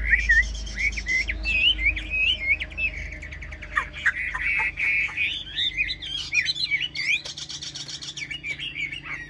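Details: Tame caged Chinese hwamei singing even while its cage is carried: a long run of varied loud whistled phrases, slurred and rising, with rapid trills and sharp notes, continuous throughout with brief low thumps near the start.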